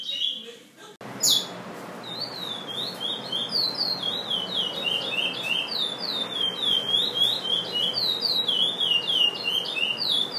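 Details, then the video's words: Chestnut-bellied seed finch, a Brazilian bird, singing a long, steady song of high, sweet whistled notes slurring up and down in continuous rapid phrases, after a brief quieter opening. "Curio de brasil."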